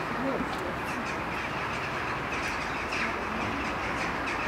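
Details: Many jackdaws settling to roost at nearly dark, moving from tree to tree down at tree level; a dense, steady chorus of short sharp 'chack' calls overlapping continuously into a noisy chattering din.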